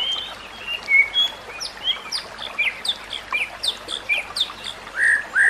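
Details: White-rumped shama song, used for training other shamas, with rapid sweeping notes repeated about twice a second, then a pair of louder, richer phrases near the end.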